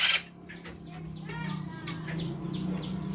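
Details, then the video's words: White-crested laughingthrush pair, male and female, singing as a training lure: quieter run of short descending squeaky notes repeated about four times a second over a steady low hum, after an opening noisy burst. "Riuh suara poksay jambul jantan & betina gacor"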